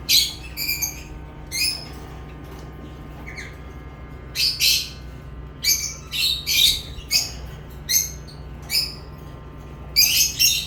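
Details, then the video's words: Lovebirds chirping: loud, shrill, squeaky single and double chirps, irregularly spaced with short quiet gaps, sometimes two or three in quick succession, over a constant low hum. "Love birds chirping sounds"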